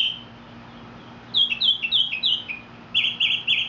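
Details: Mexican mockingbird sings a quick string of high slurred notes, followed by a fast run of rough, repeated buzzy syllables.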